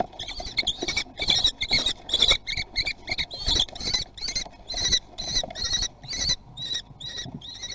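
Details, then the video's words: Common kestrel nestlings in Théding on 17 June 2020 beg while racing to be first fed: loud, rasping, harmonic trills repeated in rapid uneven bursts, roughly two to three per second, over scuffling and knocks. "Être le plus rapide pour manger"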